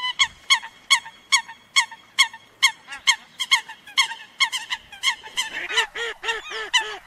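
Eurasian coot giving short, nasal, trumpeting notes about twice a second. Lower, rounder calls from a second bird join and overlap toward the end.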